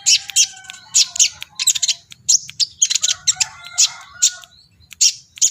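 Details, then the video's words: Energetic, excited song of a brown-throated sunbird, fluffing its feathers: bursts of very high, scratchy chirps repeated in quick clusters about every half second over a faint steady hum. "BURUNG KOLIBRI NINJA GACOR EMOSI"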